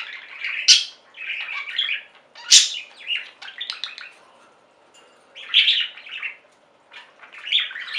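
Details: Pet budgerigars chirping and warbling in irregular bursts separated by short pauses, with bright high chirps, a sharp click and buzzy chatter.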